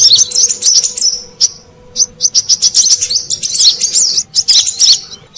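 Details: Brown-throated sunbird call used as a lure for wild birds. Bursts of shrill, squeaky twittering are broken by brief gaps, with clipped single chips between phrases and a low electrical hum.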